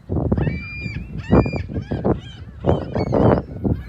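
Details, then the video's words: Seagulls at South Beach in South Haven on the morning of Sunday, March 21st, 2021, facing the lighthouse and pier: harsh, nasal squawking calls in short overlapping bursts from several birds, over steady rumbling surf. "Morning Sounds of Big Blue & Seagulls"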